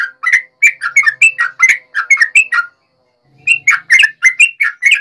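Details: Fighting song of a yellow-vented bulbul, used to stir up other bulbuls: rapid strings of bubbly, chattering whistled notes, a short silence, then another rushing burst of jumbled notes.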